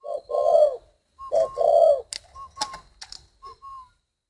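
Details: Captive spotted dove from northern Vietnam giving low, mellow coos, short then longer notes, followed by clicks, faint whistled notes and light handling noises.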